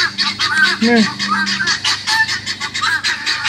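Guineafowl give harsh, grating calls over and over in a rapid, overlapping chatter, several birds calling at once.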